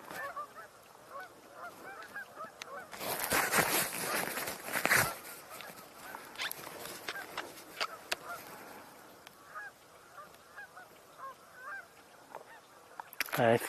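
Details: Many geese honking together on a birding tour, October 19, 2024: steady chorus of overlapping nasal honks, interrupted around the third to fifth second by a burst of loud rushing wind or handling noise, and a sharp honk at the end.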